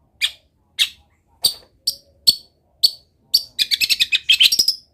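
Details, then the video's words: Energetic Long-tailed shrike song rich in imitations of wild birds: six evenly spaced, scratchy high chirps, then a rapid stuttering burst of squeaky notes running together. "CENDET GACOR ISIAN MELIMPAH - MASTERAN CENDET GACOR FULL ISIAN BURUNG LIAR"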